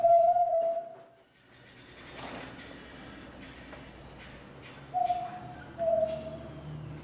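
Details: Solitary tinamou in Brazil, recorded in 2004, giving clear, level whistled notes: one long note, then two shorter ones about a second apart, over soft background hiss and a brief rustle.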